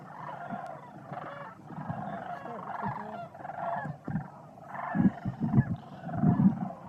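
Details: A large flock of sandhill cranes socializes at Jasper-Pulaski Fish & Wildlife Area in November 2021 before heading to night roosts: a steady chorus of overlapping rolling, trumpeting rattles, with low human voices near the end.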